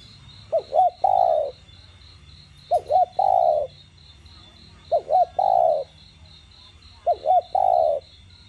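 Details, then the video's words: Spotted dove repeating its đồng gù coo, used to get other doves calling: four even phrases, roughly every two seconds, each two short looping notes then a held, slightly falling coo, with continuous high pulsing background. "Cu gáy GIỌNG CHUẨN ĐỒNG GÙ + THÚC kích mồi tập bổi căng lửa. tiếng cu đất gáy"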